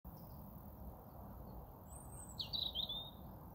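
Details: European robin singing: after a quiet start, one short, high, thin phrase of sharp sliding and twittering notes, over a steady low background hiss.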